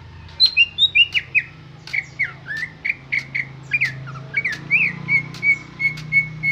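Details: A greater green leafbird sings its natural song without mimicked inserts: a fast, varied run of bright whistles, chirps and squeaky notes, ending in evenly repeated high whistles, with a low hum underneath.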